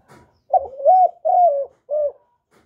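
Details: Calling spotted dove, recorded without background noise to excite kept males and decoys: a single four-part phrase of soft, mellow coos, short then two sustained, ending on a brief note, preceded by a faint rustle.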